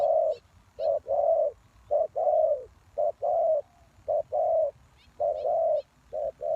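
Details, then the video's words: Lure call of a spotted dove used to draw in wild doves. Soft, hollow coos come as a brief note followed by a drawn-out croo, about one pair per second, with faint bird chirps above. "The Cu Gáy Mồi Đất,Kèo thơm lụm Mồi sảy,นกเขาใหญ่สายต่อดิน,Sound Of Cuckoo Bird่,Suara Tekukur Pikat"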